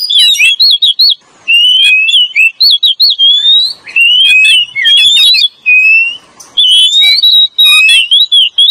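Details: Oriental magpie-robin lure song of male and female: a rich, varied run of clear whistles, some rising and some warbled, in quick loud phrases with short gaps between them.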